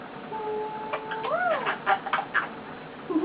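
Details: Male eclectus parrot kept as a pet, lying on its owner and making cute contented sounds: a steady whistled note that bends into a rising-falling arc, followed by a run of quick clicks and soft chatter.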